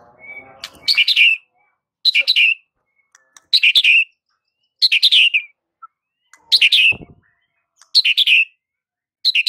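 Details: White-rumped shama (murai batu) training song meant to draw out silent shamas: short buzzy, chattering bursts high in pitch, repeated about every one and a half seconds with clean silences between, plus faint low rustling at the start.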